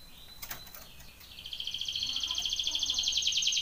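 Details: Belgian canary training song: soft background notes and a faint fluttering sound, then a high, rapidly pulsed trill that rises into a steady, growing roll for the remaining two seconds.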